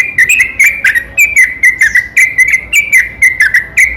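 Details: Night-time trucukan, the yellow-vented bulbul, in long unbroken sambung ropel song meant to stir other bulbuls to answer; steady run of short liquid whistles, each with a crisp click, repeated about twice a second.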